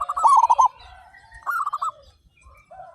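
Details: Two rapid rolling coo phrases from a flock of thirty-five local zebra doves singing actively with big voices. The first phrase is loud and beaded, the second softer, followed by a quiet gap and a faint distant coo.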